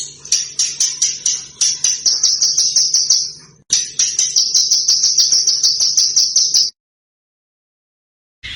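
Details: Small bird singing long, rapid, high trills in two runs separated by a short break, then a silence. A faint low hum runs underneath. The recording is meant for training competition cage birds.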